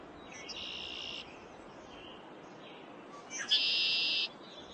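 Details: Two male red-winged blackbird songs in early spring in the northeastern United States, a territorial display by the foreground male aimed at a rival: brief clipped notes, then a harsh buzzy trill of about a second, first softer and distant, second loud and close.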